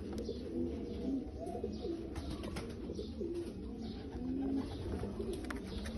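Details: Bulgarian pigeons producing short, low, slightly rising coos at irregular intervals, overlapping one another, over a constant background hiss.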